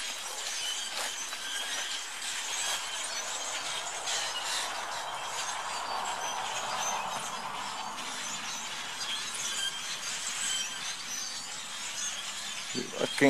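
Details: Flock of shrill starlings, invasive in North America, pausing in trees during migration while seeking a roost for the night; dense, continuous squeaky chatter like noisy squeaky wheels, with a sharp burst near the end.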